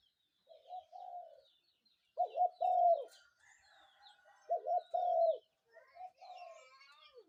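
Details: Spotted dove giving its morning call: repeated low, throaty coo phrases, each a quick broken double note then a sustained coo, about every two and a half seconds, with faint bird chirps around.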